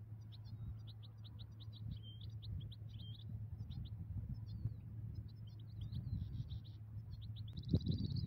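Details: Migratory European goldfinch at a ground-net trapping site: a quiet, rapid twittering run of short high chirps and trills for about four seconds, then scattered notes and a brief buzzy burst near the end, over steady low hum.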